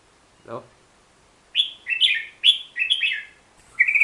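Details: A brief low sound opens, then a Hook-billed bulbul delivers a rapid string of bright, slurred chirps that ends in a higher, steadier whistled note.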